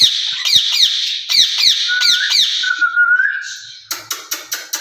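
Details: Two caged rose-ringed parakeets talking to each other, said to speak Urdu and Hindi; rapid harsh screeches give way to a level whistled tone, then five sharp clicking knocks at the end.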